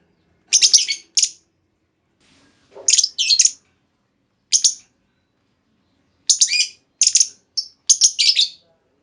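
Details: Female lovebird, used to lure other lovebirds into long trilling replies: clear, sharp, high chirps in short bursts of two or three, separated by pauses of a second or more, with a quiet background.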